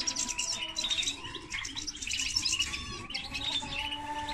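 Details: Continuous busy warbling from a common linnet x canary hybrid, tumbling high notes and twitters without pause over a steady background hum.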